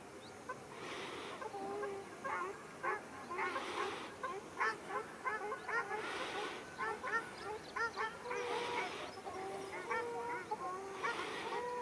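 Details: Ruddy shelducks fighting at Arucas, Gran Canaria, on 13 February 2021: nasal, honking calls repeated in quick irregular bursts, some low and drawn out, others short and clipped, with broad rushing noise swelling between them.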